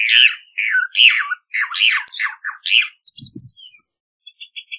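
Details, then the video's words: A Rufous hornero gives loud, harsh, ringing notes about twice a second, sliding downward, then a few faint high chips and soft low clicks. "Hornero Canto! Hornero Llamado! Hornero Sonido! Hornero Cantando!"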